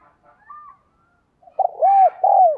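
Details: Decoy spotted dove calling to rouse males. Faint soft notes lead into a strong phrase of three loud, bowed coos in quick succession.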